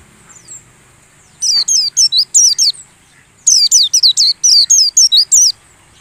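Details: White-eye lure song for dew-airing caged birds so they learn a wild-style song. Two rapid bursts of high, sharply descending whistles follow a faint note: a short run, then about ten slurred notes in quick succession.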